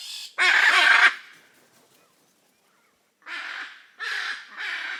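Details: Hyacinth macaws, the largest parrot, living in noisy groups in the Pantanal of Brazil: one loud harsh raucous squawk, a pause, then three shorter grating calls in quick succession.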